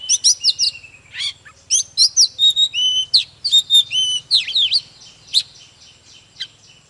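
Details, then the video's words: Oriental magpie-robin song used to spur magpie-robins into fiery singing: quick clustered whistles and rising and falling slurs for about five seconds, then a few scattered notes over a low steady hum. "Chòe than HÓT MÚA || KÍCH LỬA || Kích chòe than hót căng"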